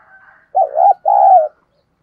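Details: Spotted dove used as a decoy, thổ-voiced, calling to draw in wild doves: one phrase of two deep, soft coos, a wavering note followed by a longer burred one, after a faint hum.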